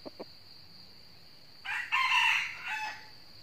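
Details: Fighting crow of a wild red junglefowl coming to a decoy trap in northern Vietnam. Two faint clucks, a pause, then one loud, harsh, slightly stepped crow with a trailing end lasting over a second.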